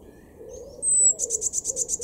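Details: A garden blue tit in Weener, northwestern Germany, in April 2022, gives one thin drawn-out high note, then a rapid ringing trill of evenly pulsed notes, with gentle low cooing underneath.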